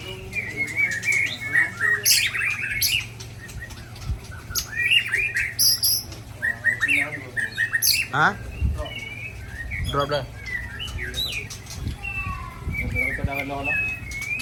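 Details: Rare 'isian' song of a white-rumped shama from Ujong Pancu: long varied sequence of sharp chips, slurred whistles and rapid buzzy trills in bursts, with low thumps and a steady hum in the background.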